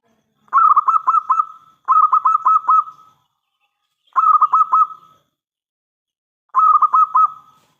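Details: Local zebra dove in full, persistent song with a big voice, used as a lure to make other doves answer: four bursts of rapid staccato bubbling coos, each about five notes, spaced roughly two seconds apart on a steady pitch.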